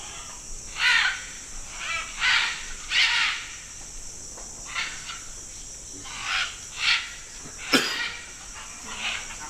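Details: About 100 macaws at a natural clay lick in Manu National Park, Peru, give harsh, raspy squawks in scattered bursts, several birds calling over one another, with a steady high hiss of insects behind.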